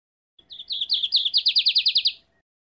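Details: High, clear lined seedeater phrase: a faint starting note, a few accelerating chips, then a steady rapid trill of about ten ringing downslurred notes, sung loudly in quiet surroundings.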